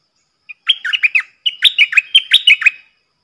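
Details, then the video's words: Song of a stripe-throated bulbul kept as a decoy to lure wild birds and tutor young ones, in double style. Two rapid runs of bright, gurgling notes, the second longer, sung loud and clear with nothing else audible. "เสียงดังฟังชัด เปิดเพลงเบิ้ล เพลงเพราะน่าฟัง merbah lekir"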